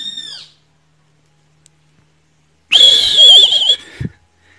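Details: Great kiskadee giving a sustained, shrill, slightly wavering call of about one second, preceded by the tail of another note, followed by a thump and then quiet.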